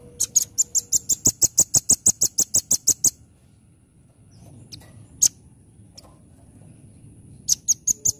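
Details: Rapid-fire 'nembak' song of a velvet-fronted nuthatch: a long run of roughly seventeen piercing, high, evenly spaced notes for three seconds, a quiet stretch with one sharp chip, then another fast run beginning at the end.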